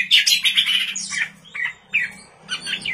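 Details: Oriental magpie-robin at night, sung as a lure for other cage birds: a harsh, squawky opening phrase followed by short, clipped chirps repeated every half second or so, over a low steady hum.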